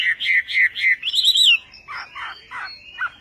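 Chinese hwamei singing four quick, clear whistled notes, then a rising, warbled flourish, followed by lower, husky phrases.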